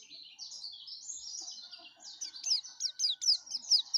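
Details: Yellow-breasted white-eye giving an energetic song: a warbled high trill that breaks into a quick series of sharp, repeated downslurred chips growing louder.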